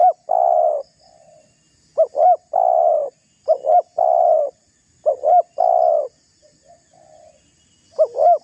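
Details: Spotted dove calling to provoke a rival: repeated phrases of a quick double coo followed by a long, steady, slightly falling coo, one phrase about every one and a half seconds, with faint small-bird chirps in the background.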